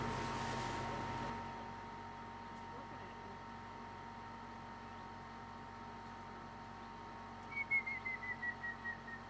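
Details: Grey-headed woodpecker (Picus canus) in Romania giving a run of about eight clear whistled notes that fall in pitch and slow down, after a brief rustle and a steady low hum.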